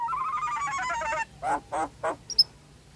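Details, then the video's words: Nias hill myna song used as a lure for birds that have stopped singing, are stressed or moulting: a fast nasal rattling series, then three loud harsh bursts and two short high whistles. "PANCINGAN JALAK NIAS LEPAS- MACET BUNYI-STRES dan MABUNG"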